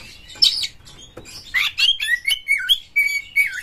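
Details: White-rumped shama song used as a lure to provoke other shamas: clear whistled notes sliding up and down, mixed with buzzy bursts, in short phrases under half a second apart.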